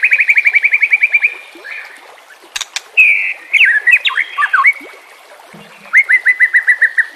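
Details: White-rumped shama song for training captive birds, opening with a fast trill of repeated notes, then sharp clicks and varied warbled whistles, ending in another quick repeated trill.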